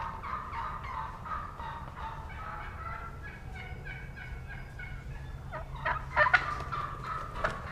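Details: Juvenile wild turkey gobblers yelping beneath a roosted hen, 30 March 2017, with other hens audible in the distance; soft repeated yelps from several birds, then a sharper, louder cluster of notes around six seconds.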